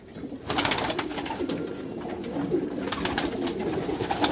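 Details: Meulemans racing pigeons in a backyard loft, low rolling coos running beneath sharp clattering taps and wing or foot noise.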